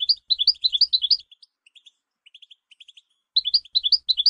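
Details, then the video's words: Training song of a European goldfinch for teaching songbirds: bursts of quick tinkling, rising-and-falling twitters separated by a quieter run of soft clicking notes, then another twittering burst. "The Art of Goldfinch Singing"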